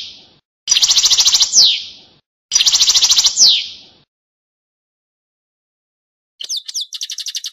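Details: Passades sung by a European goldfinch: two loud, buzzy high trills, each ending with a quick falling slur. A long silence follows, then a quieter tinkling phrase with rising and falling notes.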